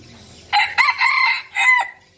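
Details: Crowing of a decoy red junglefowl: a loud broken sequence of four harsh syllables, the long middle part steady and the final note sliding downward before stopping.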